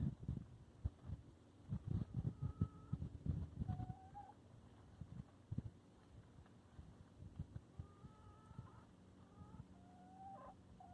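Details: Two hens enjoying their time. Soft, low clucks and scratchy pulses fill the first four seconds, followed by a few thin, rising whistled notes and quiet background rustling.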